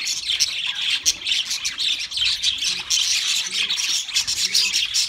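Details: Several pet budgies chattering nonstop, a busy mix of high buzzy notes, rapid clicks and squeaky chirps, with faint low tonal murmurs underneath.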